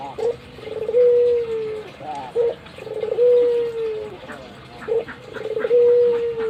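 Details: Albino Barbary dove, a kept bird cooing with nodding display: a short rough note followed by a long, smooth, slightly falling coo, repeated about every two seconds, with faint background noise.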